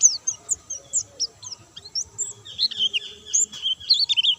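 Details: Caged white-eye, called pleci, singing energetically without doping: a stream of short high chirps and slurred whistles, sparse at first, then denser warbled phrases near the end, with a faint steady hum behind.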